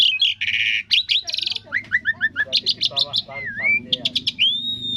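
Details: Jalak suren, or Asian pied starling, in a many-voiced song: coarse buzzy blocks, a string of quick falling notes, rapid ticking chips, then a dipping whistle and a long level whistle, over quiet music.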